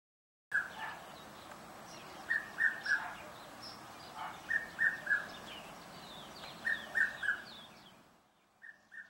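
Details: In a suburban garden in Pretoria, South Africa, in October, a hard-to-spot Red-chested Cuckoo calls many times a day: loud, clear three-note whistled phrases falling slightly in pitch, about every two seconds, with softer chirps of other birds behind.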